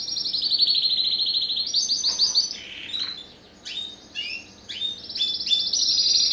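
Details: A captive-bred Spanish Timbrado crossed with a wild canary (first generation, 2015, ST16) delivers high, metallic rolling trills that step up in pitch, broken by short gaps and quick slurred chirps, then resumes with bright sustained rattles.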